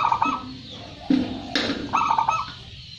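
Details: Local zebra dove, winner of first prize, singing brief warbling coo phrases at the start and near the end, with a low thud and a sharp clatter in between.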